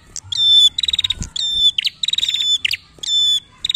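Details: Prinia in lively, chatty song used as a lure to prompt young birds to sing: loud high notes at a steady pitch, each phrase alternating sustained buzzy tones with rapid pulsed trills, repeated in quick bursts with short gaps.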